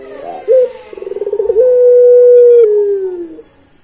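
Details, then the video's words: Long-song pelung Barbary dove: a short sharp note, a run of quick stuttered pulses, then a single very long steady coo slowly falling away at the close. "Puter Pelung Suara Panjang"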